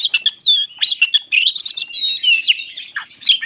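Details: White-crowned shama in continuous full song, used as a lure to provoke other shamas: rapid varied whistles, trills and sharp chirps tumbling together in a dense, unbroken stream with no other sounds.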